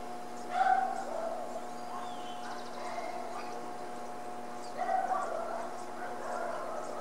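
Harris's hawk giving two harsh, grating alarm calls about four seconds apart, over a steady low mechanical hum.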